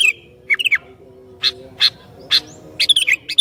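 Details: Sooty-headed bulbul in lively, persistent song that provokes other bulbuls: short bubbly, warbling phrases at the start and end, separated by sharp, clicky bursts, with a faint low hum behind.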